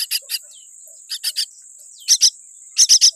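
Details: Scratchy hissing calls from a small myna nestling with a weak beak, loud bursts in twos and threes with short gaps, a steady high whine running underneath.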